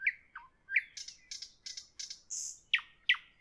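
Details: Varied evening nightingale phrase of fluty slurred whistles, bursts of rough churring notes and a short high buzz, closing with three sharp, repeated whistled notes.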